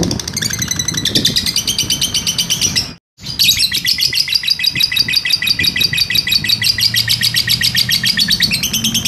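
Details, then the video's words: Lovebird used as a master recording for training other birds, giving a long 'ngekek' trill: rapid, evenly pulsed high chattering notes running on and on, broken once by a short gap, with low indoor rumble beneath. "masteran lovebird ngekek panjang"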